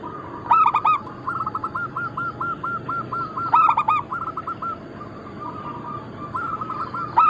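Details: Zebra doves of local Bangkok-cross stock, used as a lure and training recording. Loud stuttered coos repeat about every three seconds over a steady background of evenly pulsed cooing from several other doves.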